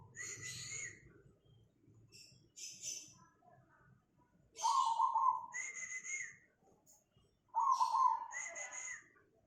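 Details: Cemani zebra dove in Tangerang, Banten, on 24 August 2020, giving two strong rolling trilled coos a few seconds apart, mixed with higher whistles and chirps of other small birds.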